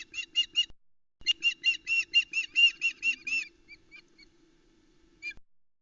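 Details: Female osprey calling at the Loch Arkaig nest, Scotland, on a July 2020 morning as the male delivers a headless trout to the chicks: bursts of shrill, harmonic cheeping notes, several per second, then a pause and a few fainter notes, over a steady low hum.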